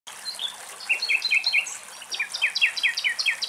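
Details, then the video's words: Common nightingale sings fast runs of repeated, slurred, high notes over a soft hiss. It was recorded in the wild in Greece. "Αηδόνια Κελάηδημα"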